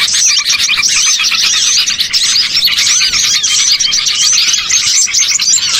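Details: Lure recording of many small birds, such as bulbuls, meant to gather birds for trapping; steady dense twittering with quick high chirps and looping whistled notes, many callers overlapping without a break.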